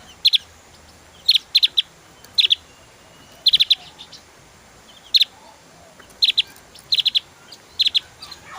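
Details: Javan white-eye producing short groups of two or three sharp, high clicking notes, repeated at roughly one-second intervals with quiet gaps.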